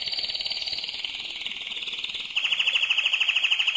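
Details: Mosaic canary singing its loudest: a long dense buzzy trill gliding slightly downward, then switching to a sharply pulsed rattle repeated several times a second.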